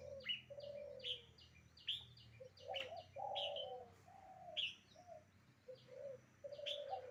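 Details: Red-whiskered bulbul song of sharp whistled notes about every second, over a steady background of low, mellow dove cooing.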